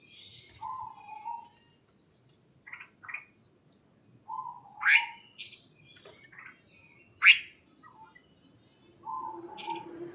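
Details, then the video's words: Scattered bird chirps in a greenhouse: short warbles, quick rising notes and two sharp, loud sweeping calls, over faint background noise and an intermittent high ticking. "the chirping sound of birds"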